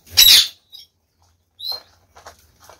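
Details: Captive Chinese quail, seven birds of uncertain sex including one albino, kept with a Gould's finch, give a loud, shrill burst followed by a thin, high squeaky chirp, then a few soft, lower scratchy notes.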